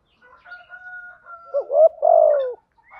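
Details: Spotted dove calls, male and female, used for luring and training doves. A faint steady whistled tone comes first, then a short coo and a long, loud, falling coo.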